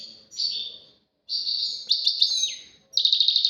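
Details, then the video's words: European goldfinch, caged, singing fast liquid twitters and buzzy trilled phrases, one note sliding down, broken by brief silences; phrases start abruptly and run on in rapid repeated pulses. "غازارات تواواطي وتباتباتي فالقمة اسمع واتمتع مع المقنين الزين"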